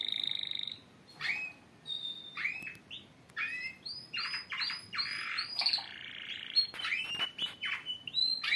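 Several canaries sing together in a dense chorus of high trills, rolls and sharp chirps, with phrases overlapping nonstop throughout.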